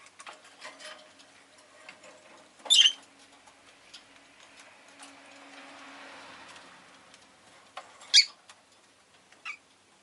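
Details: Rosy-faced lovebird recorded with city noise around it, such as car and motorbike engines and bicycles. Two sharp, harsh chirps about five seconds apart stand out over a soft, steady ticking and clattering background.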